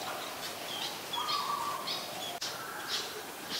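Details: Malaysian pied fantail, a resident bird, at Ubon Ratchathani, Thailand, 25 November 2019, singing faint, high, squeaky notes in short bursts about every half second, with one steadier mid-pitched whistle, over a hissy outdoor background.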